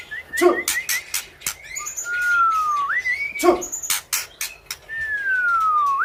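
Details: Panda-type white-rumped shama in lively song: long smooth whistles that glide down and then up, alternating with dense bursts of clicks and rattles, plus two short low thuds.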